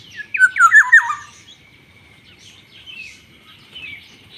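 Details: Black-naped oriole giving a short burst of four or five harsh, nasal notes, each sliding steeply downward, packed into about one second, followed by quiet with a faint thin background tone.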